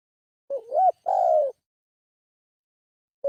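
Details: Single spotted dove lure phrase: a wavering, hooked opening note rising then dropping, followed by a half-second smooth, falling coo. After silence, the start of another phrase is heard.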